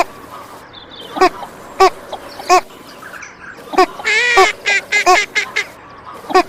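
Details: Natural calls of a female Northern Shoveler: spaced, nasal single quacks, then a drawn-out note and a rapid burst of four or five short quacks before a final lone quack.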